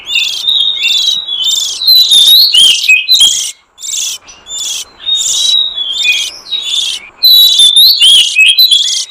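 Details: Oriental magpie-robin song meant to lure wild forest birds: varied whistles, upward and downward slurs and buzzy chatter delivered in quick phrases, with a short lull midway before the rapid sequence resumes.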